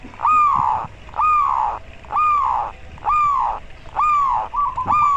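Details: Local zebra dove, a therapy recording meant to raise breeding drive and make rivals panic; loud drawn-out falling hoarse notes repeated about once a second, each with a bright upper overtone.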